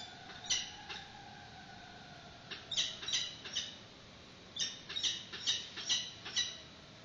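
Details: Peregrine falcons at a nest webcam in Santa Cruz, during the first feeding of a chick, the female arriving with a yellow bird brought by the male; short harsh squawking calls in bursts of two to four, with faint background noise.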